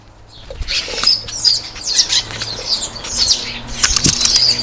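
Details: European starlings at a garden feeder, competing for food; dense harsh chattering and buzzy, scratchy calls overlapping throughout, with clicks and whistled notes, mixed with wing flutters and scuffling.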